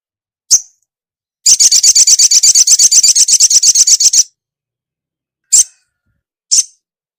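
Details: Female ruby-cheeked sunbird calling to a male. A lone thin chip, then a rapid, steady rattle of high ticking notes lasting nearly three seconds, followed by two more isolated sharp chips.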